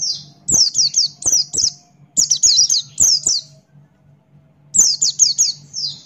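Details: Buxton's white-eye sings hard in the 'ngalas' style: three bursts of quick, high, descending whistled notes, each burst lasting about a second, with a low steady hum underneath.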